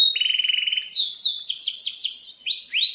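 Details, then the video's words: Canary singing hard in breeding mood, a long-rolling tutor bird: a fast flat buzzy trill followed by a string of high, downward-swept whistled notes. "Pancingan Kenari GACOR panjang untuk Masteran Kenari PAUD"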